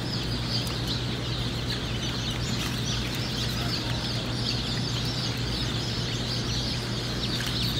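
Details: Hatchery brood of Cinnamon Queen baby chicks giving rapid, high-pitched cheeping in a busy overlapping chorus, a few sharper clicks scattered through, and a steady low hum throughout.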